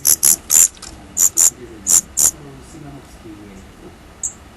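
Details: Daurian redstart fledglings leaving the nest for the first time give a handful of sharp, high notes early on, then fall quiet; faint talk from a radio or television murmurs in the background.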